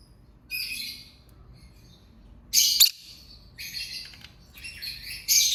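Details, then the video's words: Lovebird singing and chirping in bursts of harsh, high, scratchy chatter lasting up to a second, separated by short pauses. One loud, shrill burst stands out in the middle. A faint low hum is underneath. "Lovebird Singing & Chirping Sounds"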